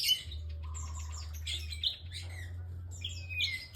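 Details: Bar-winged prinia in full, energetic song: scattered high twittering notes and slurred descending whistles, separated by brief pauses, over a constant low-pitched hum.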